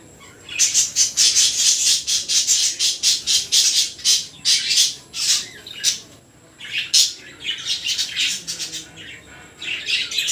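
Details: Baby budgerigar calling indoors: a fast series of short, harsh, high chirps and squawks, roughly two per second, in bursts with brief pauses.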